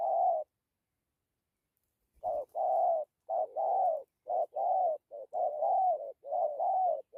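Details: Spotted dove cooing, dặm with gù: a long coo, a two-second pause, then a rapid run of paired short-long mellow notes with wavering pitch.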